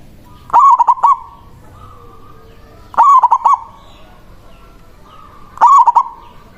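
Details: Local zebra dove repeating its manggung song roughly every two and a half seconds to call a rival: three loud phrases, each a sharp start and a burst of quick bubbling coos, over quiet background.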